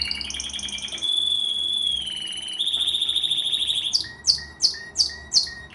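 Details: Canary singing: a long whistled steady tone, then a buzzy rapid trill, ending in five loud repeated sweeping chirps about every half second.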